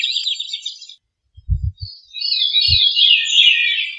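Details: Veery giving a buzzy, reedy phrase, a short gap with a few low thumps, then a longer rolling, breathy phrase that slowly descends in pitch.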